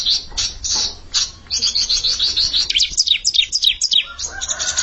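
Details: Bar-winged prinia challenging a rival, the challenger a young bird: a few harsh high notes give way to a long rapid twittering trill of slurred chirps, very high and energetic.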